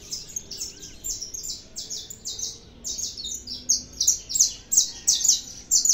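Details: Saffron finch, Brazil's canário da terra, singing a long sequence of high, clipped chirps, steady at first and growing louder and more emphatic toward the end.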